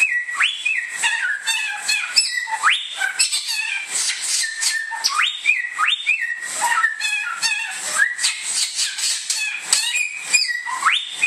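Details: Bare-throated whistler, a native bird of Indonesia called samyong, pours out loud whistles. Sharp upslurs recur every couple of seconds between flat tones and busy twittering, over a steady high hiss.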